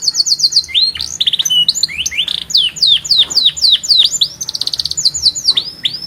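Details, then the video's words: Loud canary song: a quick high trill, then a series of deep downward-swooping whistles repeated about four per second, a short buzzy roll and more sweeping notes. "صوت الكناري قوي مع أغنية مريحة ولكن بإيقاع فريد"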